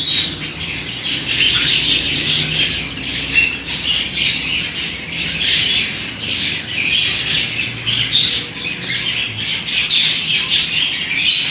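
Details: Two 14-day-old budgerigar chicks being fed by their parents give harsh, raspy begging calls almost without pause.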